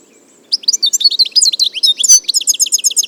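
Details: A wild European goldfinch, recorded in nature, sings a rapid, tinkling run of high twittering notes and liquid trills that quickens toward a fast, repeated chatter.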